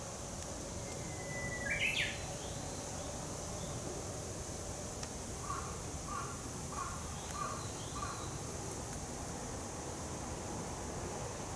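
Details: Japanese bush warbler in a Yokohama citizens' forest on 17 June 2016, a sunny break in the rainy season: a drawn-out rising whistle ends in a brief warbled flourish, later five short, low, evenly spaced notes from another bird amid constant hiss.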